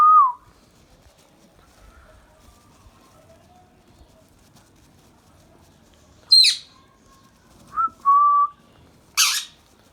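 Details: Pet Indian ringneck parrot: short tonal whistles, some with a quick downward slur, then two loud, harsh, broadband squawks a few seconds apart. Otherwise quiet room.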